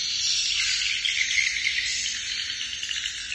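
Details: Swiftlets inside a bird nest house: a dense, unbroken wash of high, shrill chirping and twittering from many birds at once, steady throughout with small surges in loudness.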